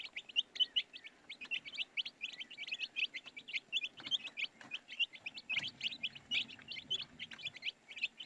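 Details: Several baby chicks peeping nonstop, their high, thin, clipped chirps tumbling over one another in a steady busy chorus.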